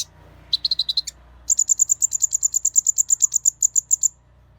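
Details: Kolibri Ninja sunbird in excited song, played to trigger other Kolibri Ninja: a brief stuttering series of mid-high chips, then a long steady trill of bright, very high notes repeated about five times per second for over two seconds.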